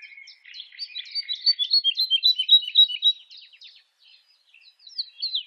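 A Woodlark sings a rapid series of liquid, repeated notes, about four a second, high and sweet, then pauses before starting a new phrase.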